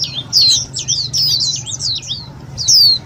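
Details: Lure calls of an Indian white-eye, played to trap birds and excite other white-eyes: a rapid run of high, thin down-slurred chirps, then a pause and one long falling whistle-like note, with faint low hum.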